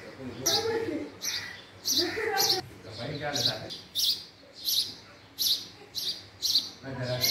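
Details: A house sparrow gives a series of sharp chirps, each brief and high, spaced at irregular intervals. A man's voice overlaps the earlier chirps.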